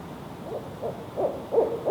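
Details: Male barred owl hooting: four short, low hoots spaced under half a second apart, each louder than the one before, over a soft steady background hiss.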